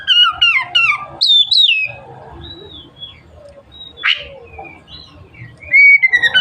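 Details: Oriental magpie-robin opening with fast loud chirping and swooping whistles, then quieter scattered notes and a harsh rasp, finishing with a bright sustained whistle.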